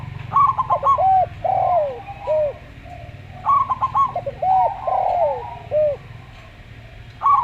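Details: Local zebra dove with a calm, slow song, giving a clipped staccato burst followed by rounded, falling coos, the phrase sung twice and starting again at the end, with a constant low hum.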